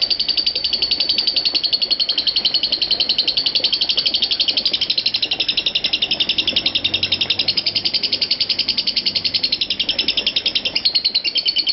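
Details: Lovebird in a continuous ngekek performance lasting five minutes twenty-five seconds without a break. A steady, shrill, fast-pulsing trill runs evenly throughout, about four pulses each second, with faint background hiss.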